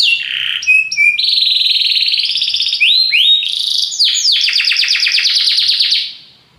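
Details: Belgian canary song mixing whistled steady tones, buzzy trills and a final run of rapid repeated sweeps, loud and continuous before stopping.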